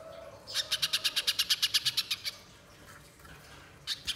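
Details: Spiderhunter used as a lure to make a caged bird sing: a fast series of about fourteen sharp, high chipping notes in even rhythm, then a pause and a few more notes.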